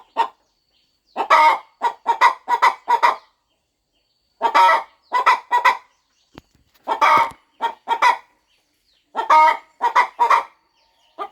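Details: A devoted mother hen on her nest before her eggs hatch clucks in steady runs of short harmonic notes, with several longer bursts and a faint knock near the middle.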